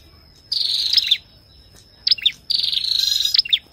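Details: Ashy tailorbird singing, with a female calling: loud, buzzy, rattling bursts of about half a second to a second, separated by short pauses, mixed with sharp high notes and a steady thin tone in the background.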